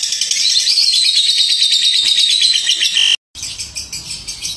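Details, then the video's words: A lovebird in a long ngekek trill used to provoke an answer, a dense rapid chatter slightly falling in pitch for three seconds, then a sudden cut and noisier, harsher chattering afterward. "Suara pancingan lovebird ngekek panjang pasti langsung nyaut"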